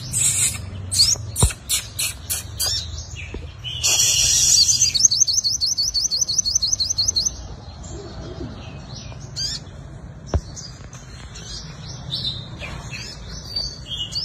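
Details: Sunbird lure song of the five-coloured kind, fighting style: a few loud rattling bursts, then a steady high trill of repeated rising notes for about three seconds, followed by scattered soft high twitters.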